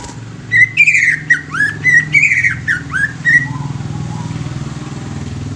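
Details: Greater green leafbird giving a loud run of slurred, downward-sweeping whistles with bright overtones for about three seconds, followed by a steady motor-like drone.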